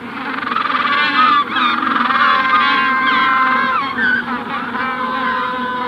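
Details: Magellanic penguin adults in their colony at hatching stage, recorded near: loud, continuous braying with trembling, layered harmonics and brief breaks between phrases, the rest of the colony calling faintly further away.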